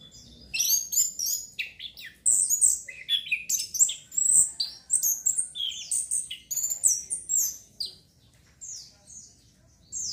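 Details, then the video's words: Orange-headed thrush (anis kembang) song used as therapy to stimulate breeding urge: a dense, rapid stream of high, varied whistled and chirping phrases with short pauses, continuing for most of the stretch and fading near the end. "TERAPI ANIS KEMBANG PUNGLOR MEMANCING BIRAHI BIAR CEPET GACOR"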